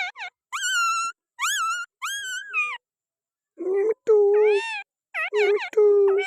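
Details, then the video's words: Held on the hand, a Pakistani green parrot gives clear, rising whistled calls, then lower, flatter droning notes mixed with higher squawks. "Pakistani Green parrot 🦜🦜🦜 at my hand with beautiful voice"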